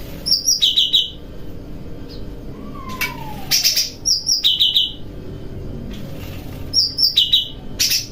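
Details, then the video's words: Bulbul known locally as cucak rante, singing while bathing at night, practising kapas tembakan and besetan styles. Two-part trilled phrases, a high rapid trill then a slightly lower one, repeat about every three seconds, with a faint sliding whistle between. "Burung Cucak Rante Mandi Malam Sambil Berkicau Riang Gembira , Latihan Kapas Tembakan Dan Besetan"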